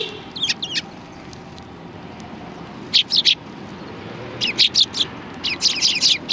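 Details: At a Tenmangu shrine in Japan, 16 January 2020, sparrows come for food, uttering high, clipped chirps in small groups of two or three, with quiet gaps and a low ambient hum.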